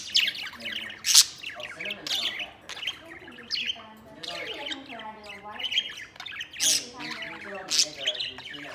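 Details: Pet budgies playing outside their cage, including a white male: squawks and warbling chatter mixed with a person's voice talking through the middle of the recording.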